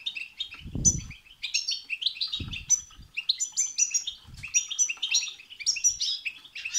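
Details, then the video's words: Excited European goldfinch song in the bitbita and sitsita manner, used to make a goldfinch sing; quick liquid chatter rising into sharp high notes, continuous, with low muffled thuds at intervals. "بتبتة وستستة تخرج الحسون عن السيطره..... هيجان خرااافي تسببه هذه البتبتة نار على نار سيغرد حسونك"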